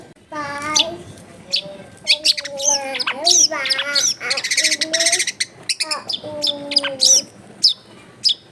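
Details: Long-tailed shrike in vigorous full song rich in fill-in phrases, clear-voiced, used to lure other shrikes into singing; steady harmonic whistles mixed with sharp high chips and rapid buzzy rattles.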